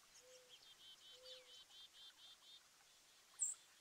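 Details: Garden birds in New Jersey on 5 April 2024, a partly cloudy 36 to 50 F day of a 4.8 magnitude earthquake; about eight buzzy, rasping notes repeated steadily, over two soft low whistles, then a sharp click.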